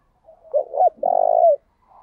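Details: Decoy spotted dove calling to lure wild doves, switching song patterns continuously; one phrase of a short double note slurring downward, followed by a long, even, throaty coo trailing off at the close.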